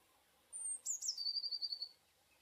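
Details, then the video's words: Eurasian blue tit song phrase: a thin, piercing high whistle, then a brief downward flourish and a quick, evenly repeated trill of bright notes lasting about a second. "blue tit / pimpelmees sound"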